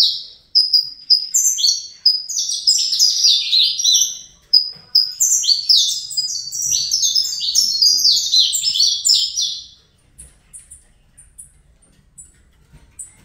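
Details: Fibra-style song of a captive-bred young Saffron Finch: about ten seconds of fast, overlapping sharp chirps and slurred downward notes, broken by brief pauses, ending in quieter scattered ticks.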